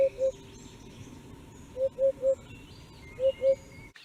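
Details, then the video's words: Common hoopoe giving low, soft hollow hoots in short runs: two, then three, then two, each group of evenly spaced notes at the same pitch. Faint thin whistles of other birds sound higher up over a quiet rural background hiss. "Common Hoopoe 후투티 소리"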